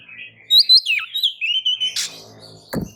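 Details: White-rumped shama song used as a lure to get other birds singing: bright whistled notes sliding up and down, a sustained steady whistle, then a brief harsh noisy burst and a sharp click near the end.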